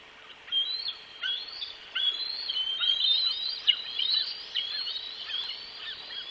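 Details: Juvenile bald eagles squeeing as two chase their father carrying food in flight around cliffs at West End, 7.8.24. They grab at the food and talons mid-air. Continuous high, thin chittering and squealing notes overlap in quick series.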